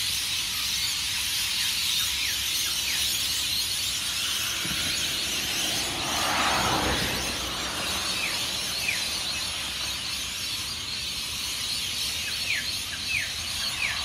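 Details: Rainbow lorikeet flock of hundreds departing tall Norfolk Pines along Burleigh Heads Beach, Queensland, Australia, pre-dawn; continuous high screeching roar with scattered downward squeals and a brief broad whooshing swell midway.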